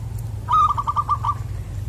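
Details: A single loud phrase from a wild zebra dove with a far-carrying 'koong' voice, caught in trapping. About ten quick, evenly spaced cooing notes form a brief trill, with low humming noise underneath.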